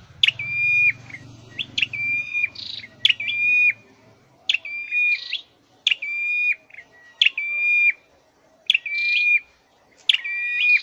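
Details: Caged scarlet-headed flowerpecker in song training gives about eight quick phrases of a clipped chirp and a flat sustained whistle, evenly spaced, with a low hum only in the first few seconds.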